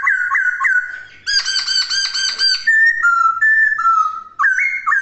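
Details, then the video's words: Laughingthrush in vigorous song: loud clear whistles stepping up and down, a burst of rapid harsh rattling notes, then sustained whistled notes sliding between pitches. "Kicauan Poksay Gacor!"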